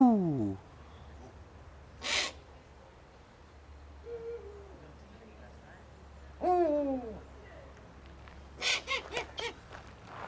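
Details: Captive owl at a screech owl sanctuary in Cornwall, UK, one hooting and another making a strange noise: a falling harmonic call, a short low hoot, a bending harmonic wail, then a burst of rapid harsh notes, with some scattered noise.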